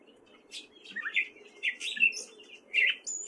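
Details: Male gray catbird in Fairfield, Iowa, singing in spring: a quick sequence of squeaky, slurred phrases with a few higher thin notes, uneven in rhythm.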